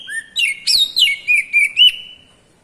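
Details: White-rumped shama, kacer ngeplong call used to stimulate singing: an opening low whistle, then about six rapid chirping notes with sharp upward sweeps, ending in a long fading clear tone.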